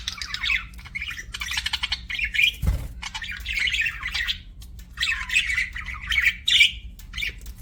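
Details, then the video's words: Pet budgerigar in bursts of raspy, warbling chirps and squawks, broken by a short low thump near the middle, with a faint hum behind. "BUDGIE CHIRPING SOUNDS"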